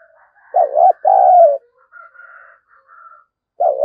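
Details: Spotted dove used as a lure to draw wild doves into fighting. It gives a 'giọng thổ' call: a low two-part coo, short then drawn out and falling, followed by faint higher thin notes before the next coo begins.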